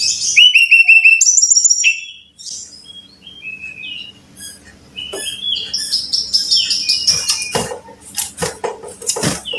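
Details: Brown-chested jungle flycatcher singing, used to prompt caged birds into song: two quick descending whistle runs open, then a jumble of varied high notes, sharp chips and clicks.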